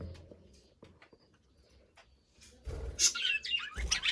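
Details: Caged budgerigar, nearly quiet with faint clicks at first, then bursting into loud, scratchy high chirps and warbling chatter over the last second and a half, with low thumps.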